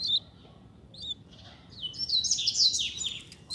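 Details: A pair of Double-collared seedeaters kept outdoors, singing with lots of spirit: a few thin high notes, then a dense, rapid burst of high twittering trills and chirps near the end.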